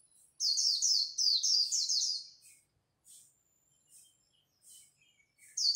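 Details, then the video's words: Japanese white-eyes singing in competition at dawn: rapid, high, thin twittering runs of tightly packed notes for about two seconds, then scattered short chirps separated by brief silences, with another burst at the end. "Khuyên líu đấu lúc bình minh"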